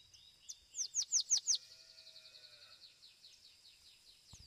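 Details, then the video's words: Domestic Belgian canary singing at a singing competition: a fast run of high, sweeping whistled notes, loudest in the first second and a half, then a long fading trill, ending with a faint thump. "Canário Doméstico "Belga""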